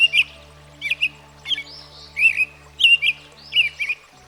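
American Robin giving a run of short, clear caroling phrases, each a quick warbled rise and fall, spaced about half a second apart, over a faint low hum.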